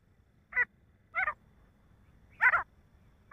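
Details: Male grey francolin giving harsh, grating call notes, some single and some doubled, at irregular intervals about a second apart, over a faint low background hum.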